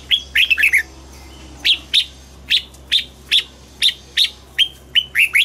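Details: Morning song of a red-whiskered bulbul in voice training for double-note, old wild-bird style singing: a quick warbled phrase, then a steady run of bright, whistled single notes repeated about every third of a second.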